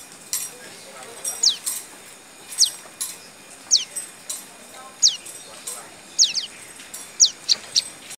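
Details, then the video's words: A prinia sings, giving sharp, high notes that slide steeply downward, repeated about once a second, sometimes in quick pairs, over a soft hiss. "Suara Burung Prejak Berkicau"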